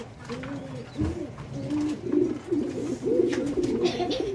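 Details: Several fancy pigeons on a Bangladeshi pigeon farm coo in a busy jumble, low soft notes at first, then louder throaty rolling coos crowding together toward the end.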